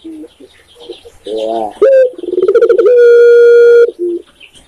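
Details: Spotted dove (Indonesian tekukur) begins with a warbling low coo, then a rising accent note and a quick pulsed burr. This leads into a long clear sustained coo of about a second, closed by a short soft coo.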